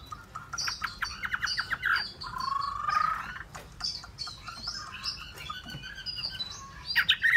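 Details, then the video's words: A Chinese Hwamei (họa mi) sings a rich, varied run of loud whistles, slurred rising notes and rapid chattering phrases, changing pattern every second or two. "họa mi"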